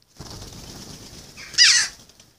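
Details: Fledged jackdaw that still seeks food from its carer gives a single raspy, descending begging squawk after a second of soft rustling and handling noise.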